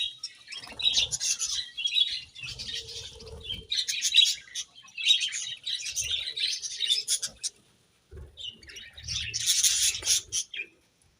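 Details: Morning budgie chirping in repeated bursts of high rasping warble and short whistled notes, with low soft thumps underneath and a brief silence just after the eighth second.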